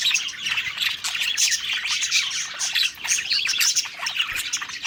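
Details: Budgerigars singing contentedly during a meal: rapid chirping and twittering warble in a dense flock chorus, dipping for a moment near the third second before resuming.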